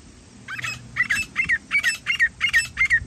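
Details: Wild grey francolin (jungli teetar) calling during partridge hunting: after a short quiet start, about nine harsh, squeaky paired notes repeat steadily, roughly three each second, over a low background rumble.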